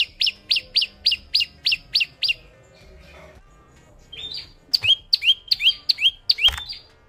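Rapid series of high, thin, sharply descending chips, about eight in two seconds, then a pause before another bright burst of similar notes.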